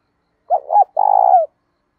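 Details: Cooing spotted dove with a 'đồng' voice and a hint of 'thổ', 'thúc dút' delivery for provoking and training doves; two short hoots, a brief pause, then one long throbbing coo ending in a falling slur, in silence.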